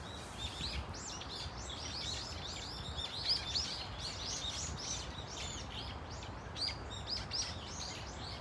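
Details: Brown-eared Bulbuls calling as a flock in Dunsan Grand Park: a dense, continuous chatter of many overlapping squeaky, arched notes, with a few louder peaks and low rumble underneath.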